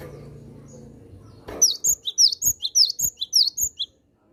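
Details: Chatty cinereous tit (gelatik batu) calling to attract wild birds of its kind: after a low rumble, a rapid series of about a dozen sharp, high, squeaky chirps in paired notes, delivered almost twice per second for two seconds.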